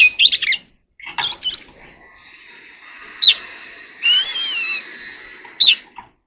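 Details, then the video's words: Oriental magpie-robin in contest song: brief, scratchy warbles, then a long, wavering high whistle and sharp single notes, with hiss behind. "kacer alam | chòe than hót sung quá | chòe than hót đấu I Oriental Magpie Robin เสียงนกกางเขนบ้าน"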